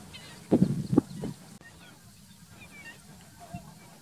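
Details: Greater flamingo at the lagoons of Alcázar de San Juan, Ciudad Real, Spain, in June 2021, giving a few low, gruff, goose-like honks in quick succession, then quieter; faint high chirps of small birds behind.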